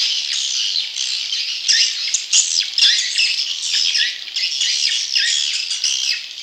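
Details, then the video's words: Young swiftlets calling as a lure for wild swiftlet young: shrill, raspy chirps and short squeals in quick uneven bursts, several birds layered into a steady chattering chorus. "Suara Walet Anakan Super"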